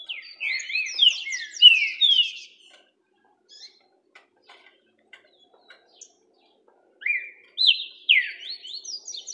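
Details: Orderly singing from a green-winged saltator (trinca-ferro): a burst of fast, overlapping whistled sweeps, a quiet gap of about four seconds with faint ticks, then a second phrase of rising and dipping clear whistles.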